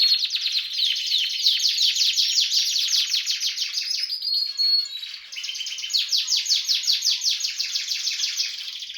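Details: Harz canary singing alongside red and variegated canaries, a loud continuous rolling song of rapid trills and warbled phrases, high-pitched and dense throughout, with a brief dip in the middle before the trilling resumes.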